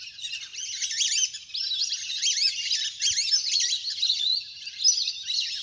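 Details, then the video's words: Ducks in a large flock playing on the water; clear, high, wavering whistled notes that rise and fall, coming in overlapping bursts, with a single faint low thud near the middle. "เสียงนกเป็ดน้ำ! ฝูงใหญ่เสียงคมชัดมาก"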